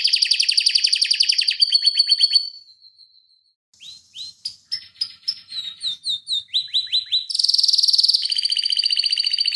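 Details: Canary singing a long, fast rolling song used as a tutor recording for other canaries: dense trilled rolls, a pause, then varied chirps and sweeping notes, ending in high buzzy trills.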